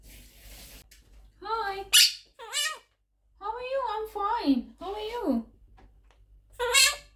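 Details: Pet Quaker parrot, eleven months old, talking indoors in a high, nasal, speech-like voice with wavering phrases, ending in a sharp squawk.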